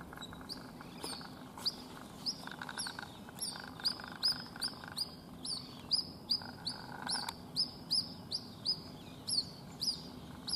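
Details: Baby white-breasted waterhen in a house yard in Rajasthan, India, calling for its mother after she flew off; many high, thin, downward-sliding peeps in uneven bursts, with a faint mid-pitched background drone.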